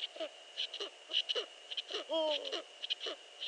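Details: Eurasian eagle-owl calling before dawn at 5.31 AM on 15 March 2013: short, gravelly, downward-sliding notes in quick uneven succession, with one longer, louder, wavering whine near the middle, over a steady electrical whine.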